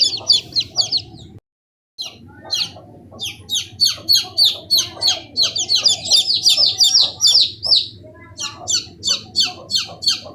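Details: Several chicken chicks peeping together: piercing downslurred cheeps, a short total silence early on, then crowded overlapping calls before a regular string of single peeps.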